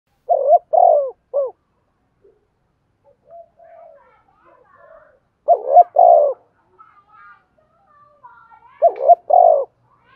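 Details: Spotted dove kept as a decoy, calling hard to lure in wild doves; three bursts of a husky, three-part coo, rising then sliding down, separated by quieter faint chirps and a soft distant coo.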